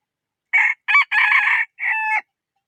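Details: Cockerel crowing a complete cock-a-doodle-doo: two short clipped syllables, a long rough middle note, then a sustained tonal closing note that dips at its end. Quiet background.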